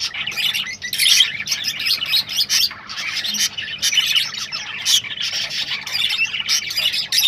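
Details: Breeding-stimulation sounds of rosellas: nonstop high chirping and scratchy squeaks in quick bursts, several birds seemingly calling over one another.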